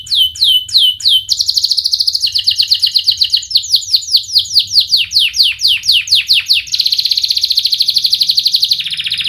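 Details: A fast, sharp canary song meant to coax young canaries into learning to sing. Repeated falling whistled notes alternate with rapid buzzy rolls, ending in a long, steady, rolling trill.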